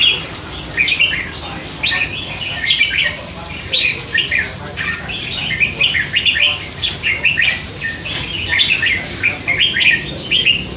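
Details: Caged red-whiskered bulbul, a hand-fed youngster of three months that chatters all day, giving a lively stream of jumbled chirps and short rising and falling whistles, loud and continuous for the whole stretch.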